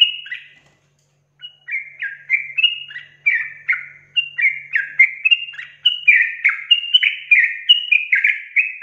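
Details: Active sooty-headed bulbul pouring out long rapid song: after a short opening note and a pause, a steady chain of slurred whistled and chattering notes, roughly two to three per second, rising and falling.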